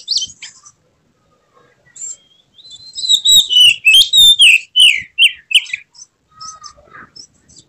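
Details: Emotional Oriental magpie-robin (kacer) with spread tail delivering a full mixed song: a brief high note, then a rich sequence of whistled slides and harsh chatter, fading into softer scattered calls.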